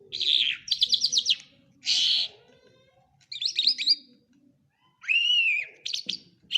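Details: Singing lark from Quetta mixes scratchy rattles, buzzy bursts and twittering notes, then a clear, downslurred whistle, with short pauses between phrases.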